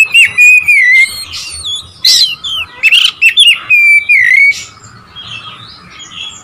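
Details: Oriental magpie-robin song used to provoke rival birds: loud, varied whistled phrases sliding between high and mid pitch, some long drawn notes and sharp chips, the bursts fading to quieter warbling near the end.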